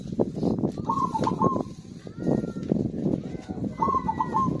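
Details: Zebra dove song used as a lure to stimulate silent birds to sing: two short trilled, wavering cooing phrases with stuttering notes, set against steady low rumbling background noise.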